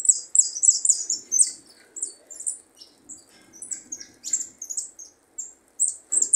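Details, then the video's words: A young European goldfinch singing a good song runs through a quick, tinkling twitter of high, liquid notes and buzzy trills, phrases tumbling one after another with brief pauses. "jilguero pichón marcando buen prio"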